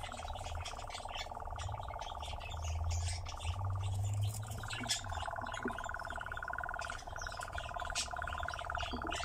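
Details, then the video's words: Nightjar at a ravine churring continuously, a buzzy pulsed trill that steps higher partway through, under a loud low drone and a brief murmur of voices. "Козодой на яру"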